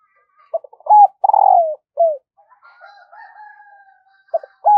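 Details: Decoy spotted dove calling wild birds in the morning. It gives clipped notes, a long rolling coo sliding downward and a falling coo. A faint, drawn-out tone follows before another coo sequence begins.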